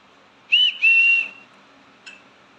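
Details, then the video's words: A pet green-cheeked conure calls its owner with two clear, high whistled notes, a brief one then a longer steady one, followed by a faint short chirp; otherwise quiet. "my parrot cheeku is calling me"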